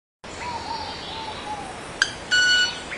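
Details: Male club-winged manakin making tones with its wings: a single sharp click, then a short, bright, ringing tone with higher overtones lasting about a third of a second. Faint soft whistled sweeps and a hissing background continue throughout.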